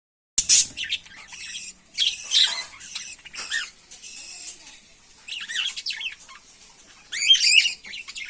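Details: Cockatiels at breeding time in Chandrapur, giving bursts of sharp, high chirps and squawky calls in irregular clusters separated by short pauses, with faint rustling between them.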